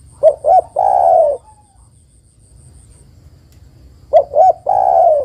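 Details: A female spotted dove calls the male with two full phrases: a pair of short coos followed by a sustained, softly falling coo, separated by a quiet gap of nearly three seconds.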